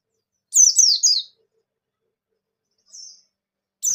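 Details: Bustomi white-eye singing in the ngalas style to encourage other white-eyes. A brief burst of three sharp, high falling notes, then a soft lone whistle and the start of another phrase.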